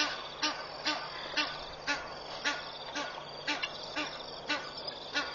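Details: Egyptian geese parents at Pete's Pond, Mashatu Game Reserve, Botswana, early morning 31 August 2013, give harsh, hoarse alarm calls about twice a second, alongside guineafowl, while protecting goslings from 20+ incoming marabou storks; steady hissing background.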